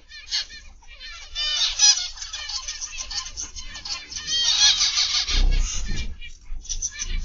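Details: Many zebra finches calling together in an aviary on the afternoon of 29 November 2021: dense, overlapping nasal beeps and buzzy notes, briefly joined by a low thump near the end.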